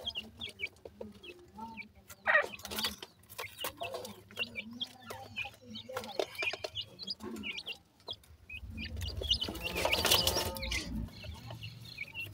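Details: Young black francolins (dakhni teetar) playing: scattered sharp upslurred peeps at an irregular rate, a low steady hum throughout and a loud rustling burst late on.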